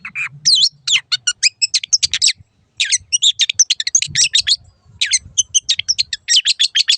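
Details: Long-tailed shrike (cendet) song for teaching caged birds: rapid strings of sharp chirps and twisting whistles in several bursts separated by short gaps, quiet background.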